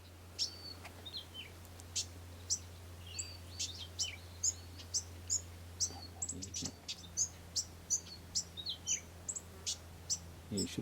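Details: Inland thornbill (Acanthiza apicalis) in Australia calling with thin, high chips and short twittering notes, repeated roughly twice a second, over a low steady hum.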